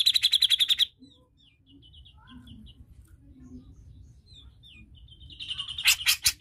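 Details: Grey-cheeked bulbul (cucak jenggot) in a prompting recording meant to get a reluctant bird singing: a dense burst of rapid buzzy chattering notes at the start, then soft scattered chirps, and a loud harsh chatter returning at the end.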